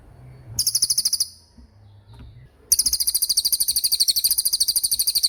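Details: Racket-tailed treepie in 'gacor roll' song. A short high buzzy trill is followed by a pause with low background rumble, then a long fast run of rattling high notes through to the end.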